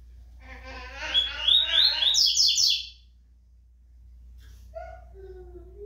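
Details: Rusty-collared seedeater kept for song tournaments, described as fast and powerful, sings a rich, rapid, rising run of buzzy notes for about two seconds, followed by quiet and faint distant tones.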